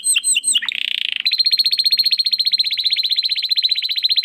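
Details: Domestic canary singing the 'crystal voice' style used to tutor competition birds: a few falling chirps, a brief buzzy burst, then a long, fast, even trill of bright high notes.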